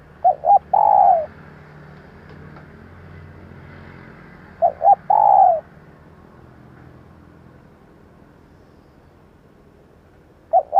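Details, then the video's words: Spotted dove hen's call for rousing and training decoy birds: phrases of two brief soft coos and one longer descending coo, repeated roughly every four to five seconds against light background noise. "tập mồi nhanh nổi Hiệu Quả bằng tiếng chim cu gáy mái / Tiếng cu gáy mái"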